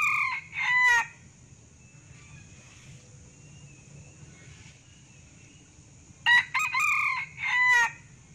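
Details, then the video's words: Male Sumatran red junglefowl lure call: short, hoarse crows in two bursts about six seconds apart, over a steady high-pitched insect whine. "Suara pikat ayam hutan jernih tanpa nois"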